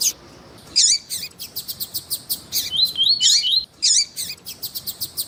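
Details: Double-collared seedeater, with a female calling, played to stimulate males. Bright high chirps and slurred whistles mixed with a steady stream of short repeated ticks.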